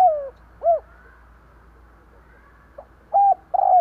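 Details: Spotted dove kept as a lure for attracting wild doves: the end of a falling coo and an arched note, a pause, then a faint pickup followed by a level coo and a longer wavering coo.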